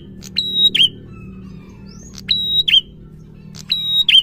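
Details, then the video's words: Prinia singing in the 'gacor ngalun' style, used to stir quiet prinias into song: three phrases, each a sharp click, a steady high whistled note, then a quick dipping squeak, spaced about 1.5 seconds apart over a faint low hum. "Suara prenjak gacor ngalun ampuh merangsang prenjak malas bunyi"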